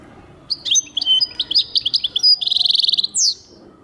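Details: European goldfinch singing a busy run of high chirps and twitters that leads into a fast mechanical trill and ends with a downslurred note.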